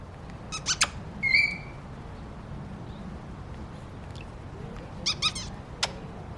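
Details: An African grey parrot imitating bird sounds. Sharp clicks and squeaks alternate with a short whistled note, separated by quiet gaps.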